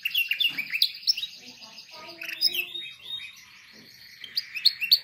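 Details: Canary singing for training young canaries: busy overlapping twitters and trills, with a lower tonal passage in the middle, fading softer before sharp high chirps return near the end.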